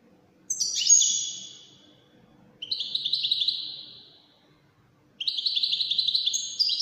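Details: European goldfinch, Widani song style, delivering three short bursts of high sparkling twitters and descending trilled notes separated by quiet gaps of about a second.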